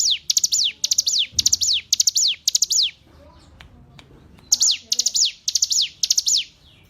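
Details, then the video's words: Hill prinia on a training recording for caged songbirds. It sings high, sharp three-note phrases closed by a descending slur, repeated quickly, then falls silent for about one and a half seconds before singing again. "Masteran Ciblek Gunung"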